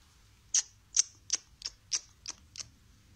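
Grey parrot chicks give seven short, harsh, high-pitched clicking notes, about three per second, against a quiet indoor background.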